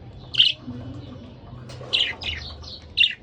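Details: A budgerigar pair kept as pets, heard as a loud chirp, then a quick run of three or four bright notes after a pause, over faint low room hum.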